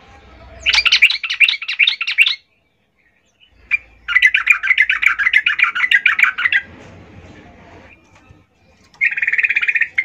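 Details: Female yellow-vented bulbul calling to males as a lure sound: long bursts of fast, bubbly, jumbled chattering notes separated by short gaps, ending with a brief rapid trill. A low background rumble is present.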